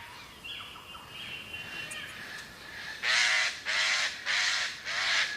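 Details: Two eclectus parrot chicks in a tree nest hollow about 25 metres up in Australian rainforest, being checked by a researcher, give four harsh, rasping screeches in quick succession, roughly one every 0.7 seconds, after a few thin, quieter calls.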